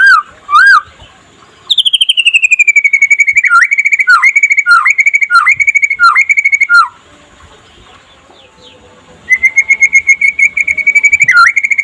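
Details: White-rumped shama singing by day in trotol style to stimulate other shamas: two upslurred whistles, then long bursts of rapid, evenly pitched whistled notes with downward hooks, broken by a short quiet gap.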